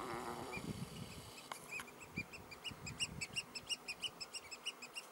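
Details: Piping of three Eurasian oystercatchers on 16 June 2016: after a brief low rumble, a quick, fairly steady train of short, shrill, clipped notes starts and continues to the end.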